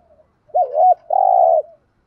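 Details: Spotted dove giving a single cooing phrase: a low hooted wavering coo that rises and falls, then a long drawn steady coo, clear and close.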